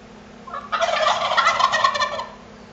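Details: Turkey gobbling during a duel: a loud, rapid, rattling gobble lasting about a second and a half, broad and throaty, over a steady low background hum.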